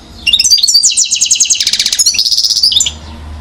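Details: One-year-old European goldfinch, Mouzaia, Algeria, 2012, giving a continuous run of rapid pulsed notes that swell into a buzzy, rattling trill before stopping abruptly.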